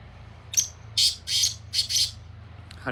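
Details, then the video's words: Black francolin calling in fields: one short sharp note, then four loud, harsh, grating bursts in quick succession, with a faint click at the end over quiet background hum. "Francolin speaking in fields Sindhi Kala Tetar Awaz"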